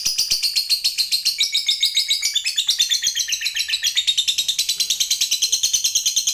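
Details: Lovebird of the fighter type giving its long 'ngekek panjang' trill, used as a lure to provoke other lovebirds into singing: a rapid, high, chattering run of pulses, about two per second, climbing in pitch toward the end.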